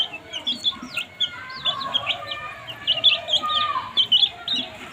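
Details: Baby chicks chirping while eating food: bright, high, rising and falling peeps from several birds, irregular and overlapping, some louder chirps near the end.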